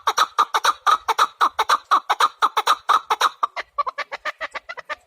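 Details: Chukar partridge with a regular string of strong clucking notes that shifts midway into a faster, higher, lighter run of chuks.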